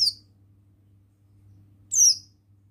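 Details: Male Oriental white-eye of the buxtoni form: two short, high, thin chirps sliding downward, about two seconds apart, over a faint low steady hum.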